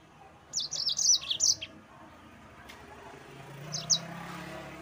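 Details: Yellow-fronted canary song used to provoke rivals: one short burst of high chirped notes lasting about a second, followed by quiet and a faint brief chirp.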